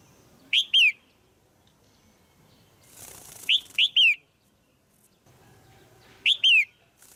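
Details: Loud, clear calls of a female red-whiskered bulbul in a cage, used to excite a male or for pairing: three bursts of two to three quick, downward-slurred whistled chirps spaced roughly three seconds apart over a quiet background.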